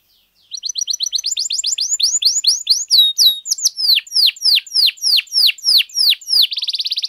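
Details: Canary song used to stir other canaries into singing: starts with fast thin chips, then a long series of loud whistled notes sweeping downward, repeated about three times a second, ending in a rapid high trill.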